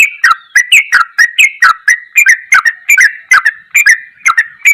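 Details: Sooty-headed bulbul, ropelan goklikan style masteran song: a steady stream of short, sharp whistled notes with clicking edges, delivered about three per second without pause.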